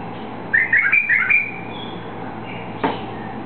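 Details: A just-released White-eared bulbul gives one quick, bubbly phrase of four or five liquid whistled notes, followed by a faint thin tone and a single sharp knock.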